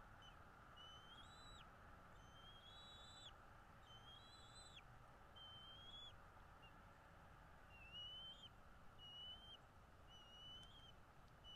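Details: Bald eagle heard from a nest in northeast Florida on a February morning in 2022, giving a run of high whistled notes that rise then level off and fall at the end, repeated about every second over a steady background hiss.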